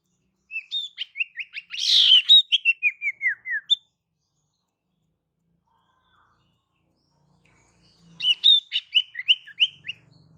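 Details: Female pied fantail calling to lure males: a squeaky series of short chirps sliding downward in pitch, then a pause of about four seconds before a second similar descending burst of notes.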